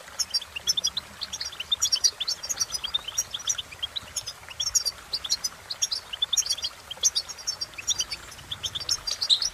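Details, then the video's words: Goldfinch song with steady, busy twittering throughout, many overlapping high chirps and tinkling trills in rapid succession, with little pause between phrases. "innovative Ways To impress The Goldfinch With Bird Melodies"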